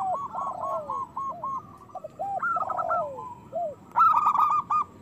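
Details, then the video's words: Several loud, vocal local zebra doves singing together as a prompt for quiet or moulting doves: bursts of quick stuttering coos run into lower drawn-out descending notes, and a louder bright trill comes near the end. "Perkutut lokal gacor Suara Besar Pancingan Birahi Cepat Bunyi"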